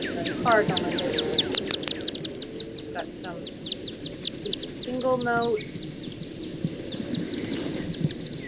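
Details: Chimney Swift rapid chipper call and single chip notes from a Macaulay Library recording: dense strings of high, dry chips repeated many times a second, with brief lower tonal notes from another sound partway through.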